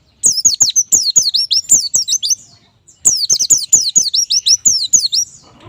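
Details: White-eye tutor recording for captive birds: two even phrases of repeated high curving whistles, roughly three notes a second, separated by a short gap, with dry clicks below.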